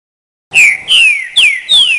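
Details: Green-winged saltator song variation: one loud phrase of four rich whistled notes, each sweeping downward, evenly spaced about a third of a second apart, with slight echo.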